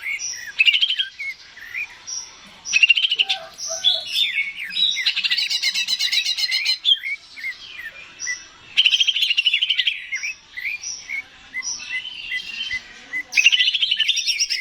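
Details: Greater green leafbird song to make a kept bird sing: long varied sequence of high whistles, squeaky slurs and rapid chattering bursts, repeated in phrases separated by brief pauses.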